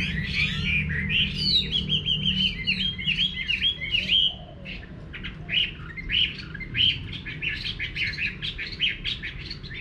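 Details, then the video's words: Chinese hwamei singing in a countryside home garden: loud, rich whistled phrases that slur up and down, then choppier, separated notes after a brief pause. A steady low hum underlies it. "Nghe Chim Họa Mi Hót"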